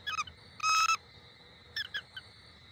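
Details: Bald eagle pair, both parents, at a nest in Southwest Florida on Thanksgiving. Thin, high chirping notes with bright overtones: a few quick chips, a longer steady squeal, then a rapid run of short piping notes, over a faint steady hum.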